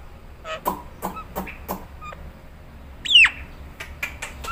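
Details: Nias hill myna calls for cage birds to mimic: a few harsh clipped notes, then one loud, piercing whistle gliding steeply downward, followed by faint clicks.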